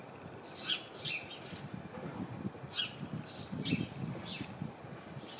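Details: House sparrows in a bush full of the birds, giving clusters of bright chirps, loudest near the start and middle, over low rustling background noise.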